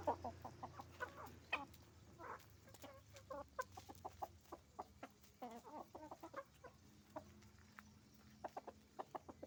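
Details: Roosters and hens at a chicken farm making noise: a dense chorus of short, overlapping clucks and squawks from many birds, with sharp bursts scattered throughout and steady low farm hum.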